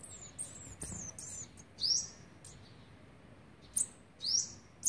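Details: Olive-backed sunbird chicks, on the 12th day of being fed by their parents (29 September 2019), give very high, thin, squeaky rising notes in short bursts a second or two apart, with quiet gaps between.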